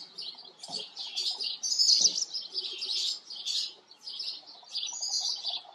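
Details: Several house sparrows at a farm chirping together in a dense, continuous chatter of overlapping harsh chirps, rising and falling in loudness, with a few low knocks in the background.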